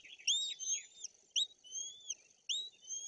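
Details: Nestling white-tailed eagles in the Tuchola Forest, Poland, begging as they wait for their mother to feed them pike, 8 June 2022. Clear high whistles, each starting with a sharp rising note, repeated roughly every second.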